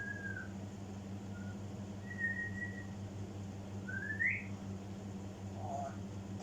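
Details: African grey parrot mimicking, giving several clear whistled notes: a level tone, a short blip, a long steady whistle, then a rising upslurred whistle and a lower wavering note, over a steady indoor hum.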